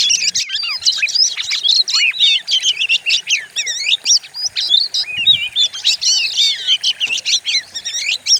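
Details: Kacer, the Oriental magpie-robin, in a fierce lure song meant to provoke other birds: continuous loud, dense outpouring of varied whistles, trills and slurred chattering notes with almost no pauses.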